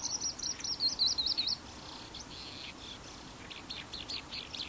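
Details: Eurasian skylark (Alauda arvensis japonica) in Japan, 26 April 2015, singing busily: a fast, high, chirruping warble of varied trills and twitters, loud at first and then carrying on more faintly.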